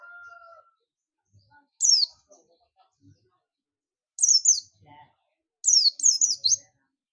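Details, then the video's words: Buxtomi Oriental white-eye giving its companion-summoning call, said to draw other white-eyes in: three separate bursts of thin, high, quavering twitters spaced over several seconds, with a faint lower whistle at the start. "pleci buxtomi ngalas ‼️ pleci lain pasti ikut ngalas"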